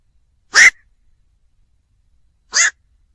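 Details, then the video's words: A black-crowned night heron gives a pair of rough, nasal 'kwok' barks two seconds apart, the first louder, with silence around them. "tiếng vac"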